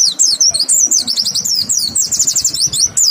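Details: Clear white-eye lure song aimed at getting other white-eyes to sing back. Very high, sharp notes tumble in a continuous rapid twitter, with slurred whistles and short trills packed tightly together.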